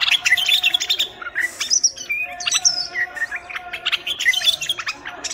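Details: Song of a Moroccan common bulbul, recorded to help bulbuls and chicks learn: lively chirps, brief whistled slurs and buzzy notes, tumbling in uneven phrases over a soft steady hum.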